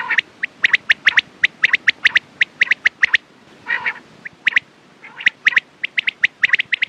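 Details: Quail calls for morning and night time: a dense train of sharp, high clicking notes in doublets, broken once by a lower, rasping buzzy call before the quick clipped notes resume.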